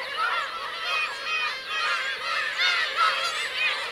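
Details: Black-tailed gull colony with parents and chicks, Teuri Island's Kurosaki coast in Hokkaido, Japan, 17 June 2021; a continuous wash of overlapping mewing calls, with brief clearer whistled notes rising above the crowd.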